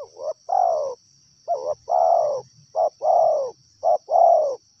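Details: Wild spotted dove giving a repeated cooing phrase: a short rising note followed by a longer, rolling, downward-sliding coo, three phrases in five seconds, over a steady high insect drone.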